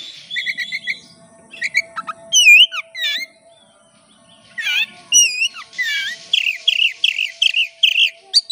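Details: Oriental magpie-robin song used as a lure to make birds sing: varied sliding whistles, looping high notes and a fast series of repeated buzzy chirps, with a short quiet gap midway.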